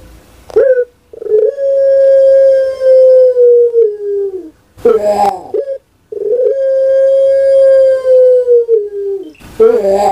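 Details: Kept national-champion Barbary dove (puter pelung, Streptopelia risoria) from Java, Indonesia, gives very long, steady, low coos, each held about three seconds before sagging, with short broken notes in between.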